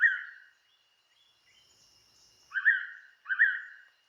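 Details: A Blue-winged Pitta, a breeding wet-season visitor resting on Koh Man-nai island, Rayong, Thailand, gives loud, clear whistled notes, one alone and then a quick pair less than a second apart, over a faint steady high hum.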